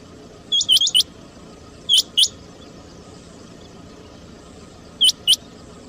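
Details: Rain quail (chinga batair) calling, as used for trapping: sharp high notes in quick pairs, three bursts spaced irregularly over steady background hiss.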